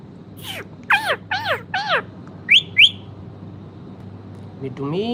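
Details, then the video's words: Pet parrot vocalising, producing a run of arched, harmonic, voice-like notes in quick succession, then two short high chirps and a rising note near the end, over a low steady hum. "parrot talking |parrot sound |parrot |parrot voice"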